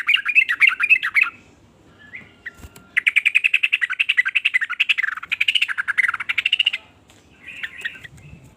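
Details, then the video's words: Sooty-headed bulbul in a varied song that makes other bulbuls join in: long runs of rapid, bubbling chattering notes, a brief pause near two seconds, then a sustained burst and a short final phrase. "ber macam" suara trucukan ini bikin trucuk lain iri jadi langsung ikut bunyi"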